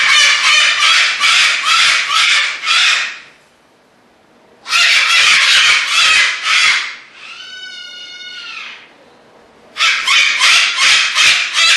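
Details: Displaying cockatoos give harsh, broad rasping screeches in three long bursts separated by quiet gaps. Between the later bursts comes one clearer, tonal, arched call.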